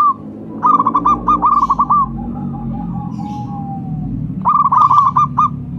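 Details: Local zebra dove used as a calling lure. It gives two runs of rapid rolling coos, and a soft drawn-out lower coo trails between them. A steady low background rumble runs throughout.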